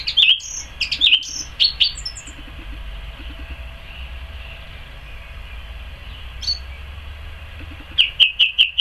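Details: A song thrush sings in a garden on 12 May 2014: clear, whistled phrases, with a short note repeated about five times in quick succession near the end, and a quiet pause in the middle, over a low background rumble.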